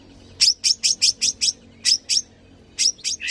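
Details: Long-tailed shrike, a tame captive songbird in full song with rich mimicked phrases, used to prompt other birds to sing: series of sharp high chips in two bursts, then three more notes ending lower.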